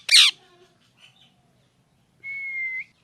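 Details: Parrot gives one loud, broad raspy squawk, a soft murmur, then a clear, steady whistled tone held just over half a second, rising slightly at its end.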